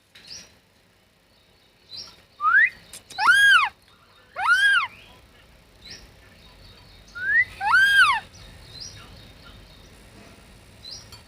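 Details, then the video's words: Talking parrot: three loud arched squawks spaced a few seconds apart, each preceded by a short rising note, over faint background chirps. "Talking Parrot"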